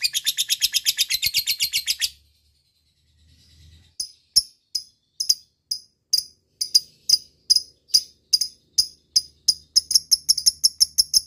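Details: Lovebird ngekek recording used as a lure to call a rival: two seconds of fast, high, rattling chatter, a short pause, then sharp separate ticks that quicken toward the end.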